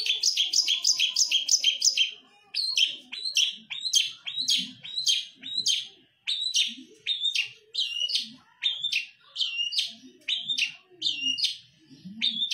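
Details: Long-tailed shrike (cendet), a songbird kept by bird hobbyists in Indonesia, singing song material mimicking other birds: a fast burst of high chirps, then varied sharp notes repeated about twice per second, with faint low background hum.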